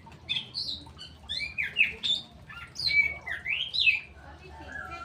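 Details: Kept straw-headed bulbul giving a lively series of loud, fluty slurred whistles, each phrase bouncing between higher and lower pitches, repeated in quick succession with brief gaps over a faint low hum.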